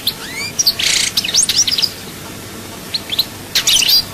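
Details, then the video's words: Short excerpt of European goldfinch song, Souk Ahras chaayba style: a few upslurred whistles and a bright twittering burst, a near-silent gap, then another cluster of high chirps. "chant chardonneret souk ahras chaayba"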